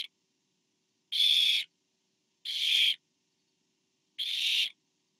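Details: Barn owl recorded on 24 September 2015 during a food delivery by a parent to owlet number four: three harsh, noisy screeches about half a second long, repeated roughly every 1.5 seconds, with a brief tail of another at the start.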